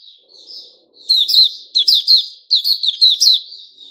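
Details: White-rumped shama called Puteh Raja, recorded 29 August 2021: soft whistled notes at first, then three loud bursts of quick, sharp chirps, with a faint low murmur beneath early on.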